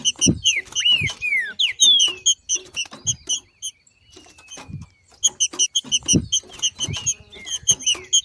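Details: Green-winged saltator recorded in nature, a female singing in male style ('macheando'), meant to excite other saltators into song: loud downslurred whistles early, then dense trains of short sharp paired chip notes repeating through the passage.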